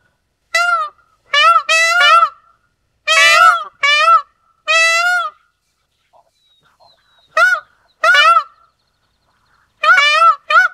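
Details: Indian peafowl (Pavo cristatus), a species of India and Sri Lanka: loud, nasal, honking wails in short bursts, singly and in pairs, each with a rich stack of overtones and a slight upward bend, repeated across the recording with quiet gaps between.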